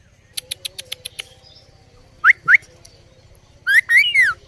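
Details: Indian ringneck parrot on a table, sharp rising whistled slurs, two quick ones then a longer wavering run of linked whistles, after a series of sharp clicks, with a low steady hum behind.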